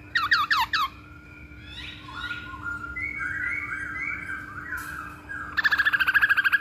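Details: Masked laughingthrush, recorded to lure or train birds: a quick burst of sharp notes, a stretch of softer warbling, then a rapid, even series of short whistled notes.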